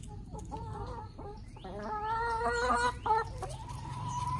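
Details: Backyard rooster in Kerala giving a run of harmonic clucking calls: short clipped notes, then a louder, longer rising-and-falling call and a sustained even tone near the end, over a steady low hum.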